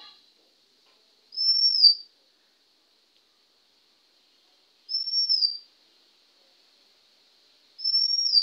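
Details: Male Oriental magpie-robin singing in India on 20 May 2021 at 1:12 PM near a house: three clean, high, slightly downslurred whistles, repeated about every three seconds over a faint steady high hum.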